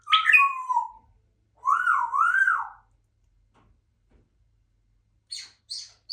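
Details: Pet African grey parrot (Psittacus erithacus) in a quiet room gives a squeaky falling whistle, then a warbling two-part rising-and-falling whistle, and later three brief high chirps.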